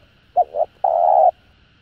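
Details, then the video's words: Spotted dove giving a call used to stir other doves into responding: two short, low hollow coos followed by a single long, steady, even-pitched coo lasting about half a second, over a quiet background. "Tiếng Cu Gáy GỌI +THÚC Kích Bổi Nhanh Nổi"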